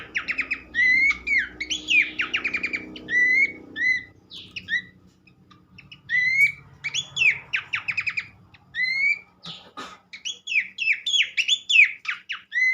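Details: Horsfield's Babbler sings repeated phrases of a bright rising whistle followed by rapid stuttering notes, with brief pauses and faint low background rumble, in a recording played to prompt other babblers to sing.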